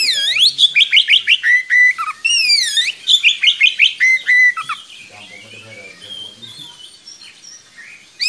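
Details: Oriental magpie-robin in strong voice, sung as a model for young birds: loud sweeping whistles and rapid repeated slurred notes for about five seconds, then quieter scattered notes.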